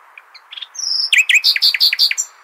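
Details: Nightingale singing in the Hasniya style for tutoring young goldfinches and hybrids: a few soft introductory notes, a sustained whistle, then a loud rhythmic series of ringing, evenly spaced double notes.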